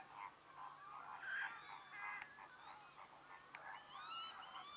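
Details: At the Lagunska ribogojnica nature reserve on 4 January 2024, a flock of American flamingos keeps up a busy chatter of nasal, goose-like honks, many birds overlapping at once, with a faint steady hum underneath.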